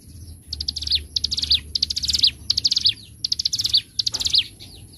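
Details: Bar-winged prinia, or ciblek gunung, singing ngebren style for a training master: quick buzzy trills in short bursts, each falling at the end, separated by brief pauses, over a thin steady high whine and low hum.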